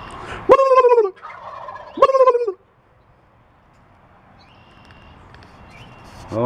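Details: A turkey gives two loud, harsh, wavering calls about a second and a half apart, each dropping slightly in pitch, amid turkeys fighting and purring nearby, with coyotes heard in the background and quiet hiss.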